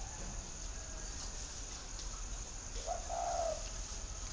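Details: Spotted dove from Vietnam uttering a single brief coo late in the recording: a short lead note, then a drawn-out, gently falling hum, over constant background hiss and a thin high whine.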